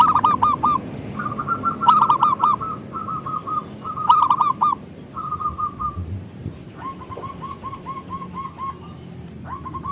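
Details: Loud local zebra dove song meant to lure other doves: quick rolling coo groups and short runs of soft, repeated notes, a second, fainter caller joining in later, over steady background hiss.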